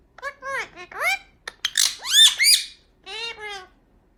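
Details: Two Indian ringneck parakeet brothers kiss and chat to each other in a quick run of squeaky, rising and falling notes with harmonic, voice-like syllables, then a short pause and a final burst.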